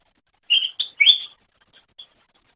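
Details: Cucak ijo song from a master recording for training songbirds: three quick whistled and chirped notes, followed by a few faint short notes.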